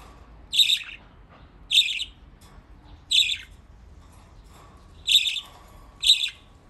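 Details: Pet budgerigars playing in water in Japan; short harsh chirps with a bright, buzzy quality come at irregular intervals, five separate notes over the stretch, against a quiet indoor background.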